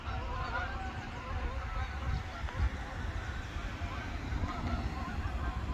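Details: Migrating Canada geese flying in formation, many honks overlapping continuously over strong low wind rumble.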